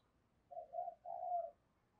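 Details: Spotted dove cooing as a decoy to call wild birds: one soft phrase of two short hollow notes and a longer wavering coo, distant, with low background hiss.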